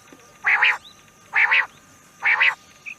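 Rain quail giving a loud, metallic double note, 'which-which', three times at just under one-second intervals, over a steady high insect hiss and a faint bird whistle.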